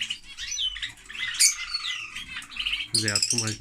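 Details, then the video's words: Noisy lovebirds chatter with shrill, harsh chirps and squawks high in pitch, overlapping in rapid bursts; a brief lower voice-like sound joins near the end. "Love Bird singing (Lovebird)"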